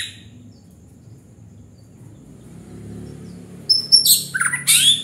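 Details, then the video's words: White-rumped shama singing in gacor style, a long quiet start with low background hum, then a short burst of high whistled notes and rich, buzzy warbled phrases in the last second and a half. "Murai batu gacor bikin panas"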